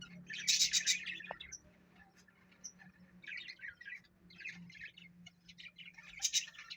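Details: Pet parrot making scattered bursts of rapid, scratchy chirps and squawky twitters over a steady low electrical hum, with quieter pauses between the louder bursts.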